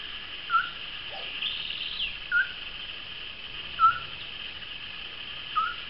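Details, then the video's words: A courting group of moustached turcas: crisp, short whistled notes repeated about every one and a half seconds in an even series, with a steady shrill buzz in the background. "PAREJA DE TURCAS (Pteroptochos megapodius) EN CORTEJO"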